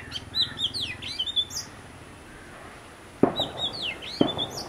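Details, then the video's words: Oriental magpie-robin from a pair visiting: quick chattering whistles and swooping slurred notes, a pause, then more sweeping phrases interrupted by two sharp knocks. "Magpie Robin - Singing and Behaviour"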